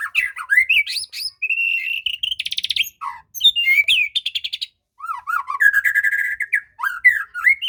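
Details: Shama song meant to stir an unwilling bird into song: lively whistled phrases, a fast buzzy rattle, looping slurred notes and dense trilled bursts with brief pauses between.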